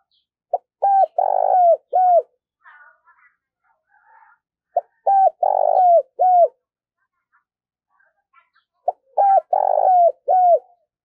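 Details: Spotted dove kept as a decoy bird in training, cooing in three phrases spaced about four seconds apart, each a short note then a rolling coo and clear falling whistled coos, with faint chirps from other birds between.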